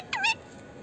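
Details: Indian ringneck parakeet, a talking pet parrot, gives one short, bright, harmonic squawk that dips in pitch and then levels off, lasting about a quarter second, over faint background hiss.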